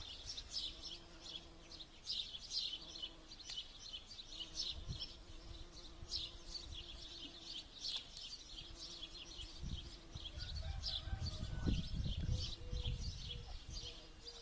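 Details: Pond near Kokotovo village in Kostroma Oblast, where many birds sing together in rapid, overlapping high chirps and trills, over a continuous low frog-like chorus and rumbling background that swells toward the end.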